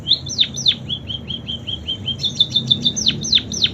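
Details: Munia singing with imitations of canary song: thin, high whistled notes, with sharp downslurred notes and a rapid, even series of short tones, all repeated about three times per second, over a faint low hum.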